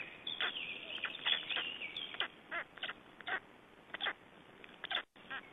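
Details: Black storks in Estonia at feeding time, 21 May 2012. A drawn-out whistled wavering sound is followed by rough, rasping bursts at about one per second, with a brief dropout near the end.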